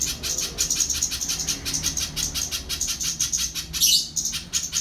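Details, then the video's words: Little spiderhunter song: a long run of sharp, high chipping notes, about five per second, steady and evenly spaced, with a brief louder burst near the end; low hum underneath. "Burung Pijantung Pisang || Tengkek buto mini"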